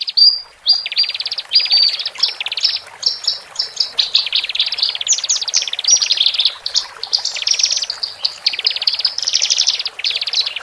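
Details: Male and female Horsfield's bush larks, sung to calm birds just taken from a communal cage: a continuous high chattering stream of rapid pulsed trills and short sharp notes, shifting in pitch, with no pause.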